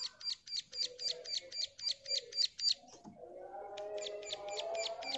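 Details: A female Bar-winged prinia calling to a male gives a fast run of sharp, high chipping notes, about four a second, pausing briefly and then resuming, over a low murmur.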